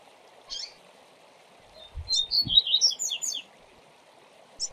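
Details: Double-collared seedeater 'viu viu zel zel' song for tutoring young birds: an isolated chirp, then a fast burst of bright, slurred, high whistles and buzzy notes lasting about a second and a half, with waterfall noise throughout.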